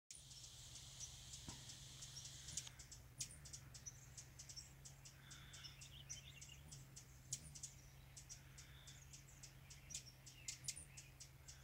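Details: Rufous hummingbird busy at a feeder on San Juan Island gives sharp, very high chip notes, scattered irregularly and sometimes in quick pairs, over a steady low hum and a brief hiss at the start.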